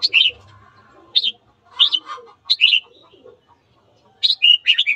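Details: Red-whiskered bulbul giving morning song intended to provoke fighting; dense, rapid warbled and whistled phrases in quick succession, ending in a bubbling cluster of notes.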